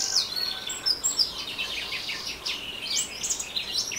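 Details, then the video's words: Orange-headed thrush in ngeriwik song: a loud, unbroken stream of sharp, high chirps, rapid trills and slurred whistled phrases tumbling over one another, with no pauses and faint background hiss. "Anis Merah Ngeriwik"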